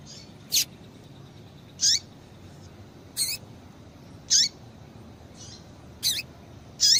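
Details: A female double-collared seedeater gives calls meant to get a male singing: single bright, high chirps each dropping into a falling tail, repeated roughly every one to one and a half seconds.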